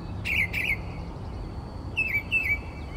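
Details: Night song of a northern mockingbird at 4 am in Texas, outside a bedroom window; a doubled bright chirp, a pause, then two slurred downward whistles over a faint constant hum.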